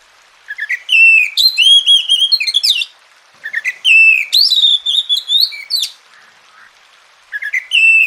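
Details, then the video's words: Oriental magpie-robin whistling richly as masteran therapy for a lazy singer: dense rising and sustained notes in two long phrases, a pause with a faint low sound, then a new phrase beginning. "Masteran dan Terapi Kacer Malas Bunyi Jadi Gacor"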